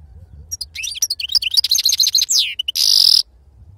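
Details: European goldfinch of pure wild-type (khalawi) stock, serfati song style: a dense, rapid twittering run of high liquid notes and slurs, finishing in a harsh, buzzy, sustained rasp.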